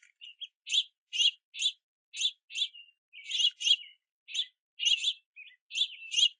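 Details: Juvenile house finches wait at and below a backyard platform feeder in the rain, begging parents for food. Bright, clipped chirps, often doubled, come in a steady, insistent series with short gaps between.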